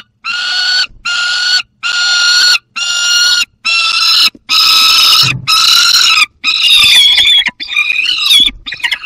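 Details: Young peregrine falcon with prey, Barycz Valley, 30 August 2022. Loud, harsh, wailing calls repeated about once a second in a steady series, the final calls becoming more strained and broken.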